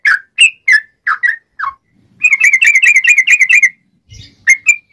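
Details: Sooty-headed bulbul, a sharp clear song meant as a lure to trap wild birds: several spaced, falling whistled notes, then a fast rolling burst of bubbling whistles, a soft rustle, and two more whistles.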